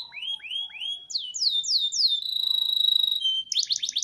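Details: Caged canary from a collection in Petarukan, Pemalang, Central Java: rising whistled slurs, descending sweeps, then a long steady pure-toned trill ending in a brisk burst of rapid notes.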